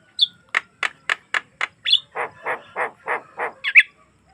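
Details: Javan myna song, a natural recording used to get other mynas singing: a squeak, five evenly spaced sharp clicks, another squeak, then six nasal rasping notes in steady rhythm and a final squeal.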